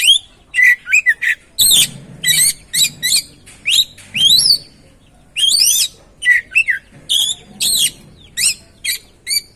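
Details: Oriental magpie-robin song used as a lure to stimulate another bird to sing: rapid sequence of short, loud whistled notes and sweeping chirps, many sharply rising or falling, delivered in quick bursts with brief gaps.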